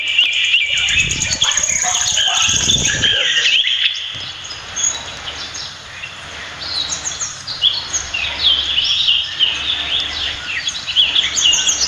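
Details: Philippine pied fantail at its nest in a backyard in Prenza, Marilao, Bulacan, Philippines; dense, high squeaky chirps and twitters, several overlapping at about three a second, with low thumps and rustling early on.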